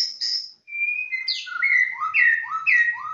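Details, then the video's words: A white-rumped shama sings after a brief pause: long level whistles, then a series of descending slurred notes repeated about twice a second, bright and fluty against a quiet background. "Suara Burung Murai Batu ACEH, Murai Batu Bahorok Murai Batu Borneo, Murai Batu Medan Nias Ekor Hitam"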